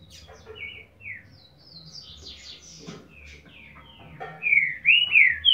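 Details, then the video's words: Green-winged Saltator giving boiadeiro-style song, a series of short whistled notes stepping and slurring between phrases, building to loud, rich upslurred and downslurred whistles near the end over a quiet background hum. "TRINCA FERRO BOIADEIRO"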